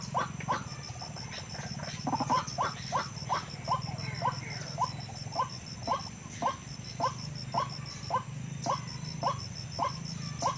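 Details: Wild white-breasted waterhen recording played as a lure to draw waterhens into traps: a long run of short, harsh, downward-slurred croaks, roughly two per second, with a thin electronic tone running throughout.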